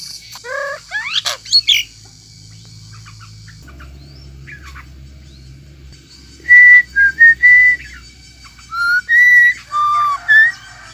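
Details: A myna singing: a burst of quick chirpy upward and downward sweeps, a quiet pause, then a run of clear whistled notes, some steady and some slurred, given in short separate bursts with faint background hum.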